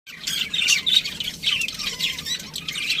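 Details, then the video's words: Budgerigar chirping: a dense, fast stream of high, scratchy warbles and squeaky notes, almost continuous, with a few brief pauses and one short falling whistle near the end. "budgie chirping sounds | parakeet sounds"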